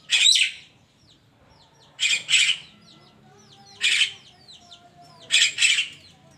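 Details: Javan myna at morning time, uttering harsh doubled squawks in four bursts about one and a half seconds apart, over constant thin chirping from other birds.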